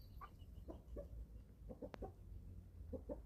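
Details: Young chickens, eleven weeks old, feeding on a small German family farm: a series of short, clear, harmonic clucks in quick pairs and triplets, with a brief sharp click near the middle and low background hum.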